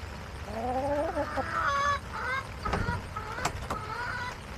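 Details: Backyard chickens recorded on August 28, 2024, hens calling with a run of drawn-out harmonic squawks, some rising and some falling, then shorter clucks toward the end over a low steady background rumble.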